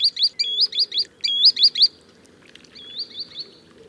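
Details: High, ringing upslurred whistles from a green sandpiper, two quick bursts of four or so notes followed by a quieter, more drawn-out run, with low background noise.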